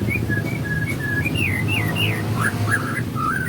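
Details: Morning song of a murai in full 'isian' style, a string of clear whistled notes, short flat ones and then swooping rising-and-falling phrases, over steady low background rumble.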